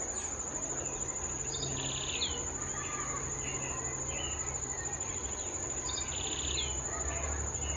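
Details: A White-barred Piculet (Picumnus cirratus) gives high, thin buzzy trills twice, about four seconds apart, over a steady shrill insect drone and faint chirps from other birds.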